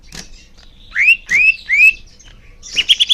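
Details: Leafbird song as tutoring for young birds: three rising whistled slurs, then a quick buzzy chatter.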